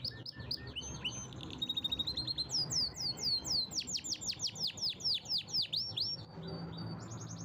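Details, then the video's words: Canary singing a powerful song: rapid high sweeping notes, downslurred whistles in quick series, then fast buzzy trills around the middle, ending with steady rolled trills; faint low hum beneath. "Canary's most powerful song"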